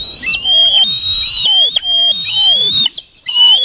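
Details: Osprey chick screaming as a parent flies in with a fish, a sibling nearby trying to steal it: an almost unbroken shrill whistled scream with harsh overtones, briefly interrupted once, then resuming.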